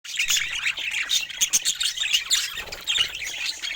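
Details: Colorful pet budgerigars chattering together: dense, overlapping warbles and squeaky chirps, continuous throughout with no pauses.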